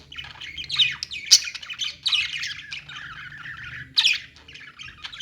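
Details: Pet-store budgerigars keep up continuous warbling chatter with scattered sharp squawks and chirps, several birds overlapping, and a low background hum.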